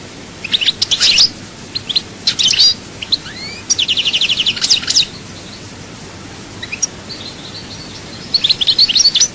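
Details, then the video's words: European goldfinch from Souk Ahras in chaayba song, alternating bright twittering clusters, a rising whistled slur and a long rapid buzzy trill, then quieter scattered notes before a final burst of twittering. "chant chardonneret souk ahras chaayba"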